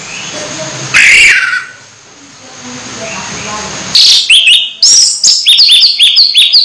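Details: Nearly moulting orange-headed thrush in a cage: a lone harsh note, a quiet gap, then a quick series of sharp, descending whistled notes repeated in rapid succession.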